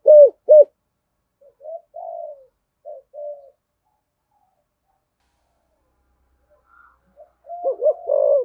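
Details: Spotted dove, Thổ Sấm coo style, as a lure for wild doves: two loud clipped coos open, then quiet muttering notes, a long silence, and a loud burst of coos at the end.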